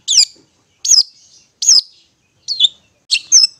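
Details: Long-tailed shrike singing in the ngetet style, played as therapy to draw out stressed or silent shrikes: five harsh, downslurred high notes, each cut off sharply, spaced about every 0.8 seconds.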